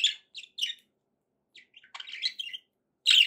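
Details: Budgerigars giving short high chirps and twittering bursts in separate clusters, with a pause of about a second in the middle and a loud chirp at the end.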